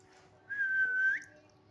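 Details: Pet parakeet, asked by its owner in the morning to whistle, gives one clear, steady mid-pitched whistle under a second long, lifting slightly at the end, in a quiet room.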